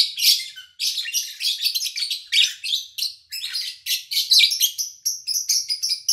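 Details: Nonstop shrill lovebird chatter, scratchy notes tumbling over one another for six seconds, recorded in August 2019 with little engine or human noise.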